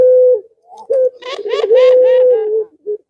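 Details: Male pelung dove calling a female: long, steady, level coos, with a brief burst of throaty, rolling coo notes in the middle, in a small room.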